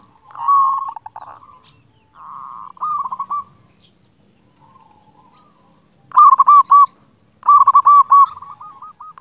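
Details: Local zebra dove, a keen singer with a big voice, heard as a training song to make reluctant doves sing. Soft, blurred rolling coos come first, then two loud staccato coo bursts near the end.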